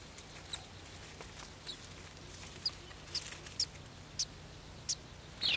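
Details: Golden sparrow chicks waiting to be fed. High, thin, clipped cheeps come at irregular intervals of roughly half a second to a second, about seven notes in all, over a steady low background hum.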